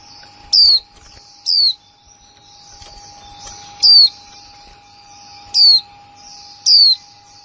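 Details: Female white-eye, new bird of 2020, in kick mộc là líu calling. Five high, sharp, down-slurred whistles at irregular one- to two-second gaps rise over a steady hiss and a low continuous tone.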